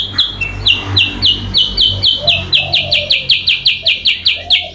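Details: Rival-attracting lure call of a sooty-headed bulbul: rhythmic, rapid high chips in a continuous series, around four per second, with soft low cooing and background hum.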